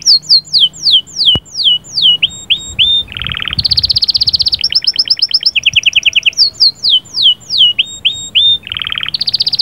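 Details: Canary singing to get a female ready: repeated swooping downward whistles, a nasal buzzy burst, then long fast pulsed rattles and trills, before the swooping whistles and buzz return; one sharp click early on.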